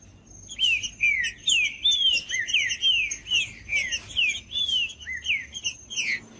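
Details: Great thrush (trinca-ferro) song played to warm up a cold bird for tournament keepers: a rapid series of clear downslurred whistles, about two each second, fairly even, with a steady high faint tone underneath.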